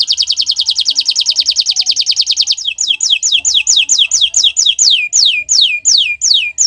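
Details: Friday-morning canary song: a fast rolling high trill for over two seconds, followed by a measured series of slurred downward whistles repeated roughly twice a second, with faint low knocks in the background.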